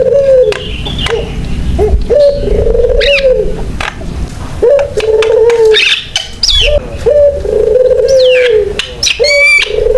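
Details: Javan myna singing as a lure and model for other mynas. Low drawn tones alternate with clicks, wavering mid whistles and a burst of high looping squeals near the end.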